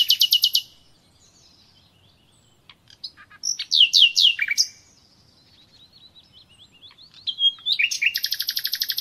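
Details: Common nightingale song meant for training captive birds: a rapid rattle, loud down-slurred chirps, soft wavering whistles, then a steady fast series of repeated notes.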